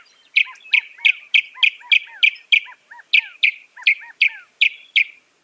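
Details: Northern mockingbird repeating one sharp chirping note with a lower whistled echo, about three times per second, in a steady even series with a short break midway.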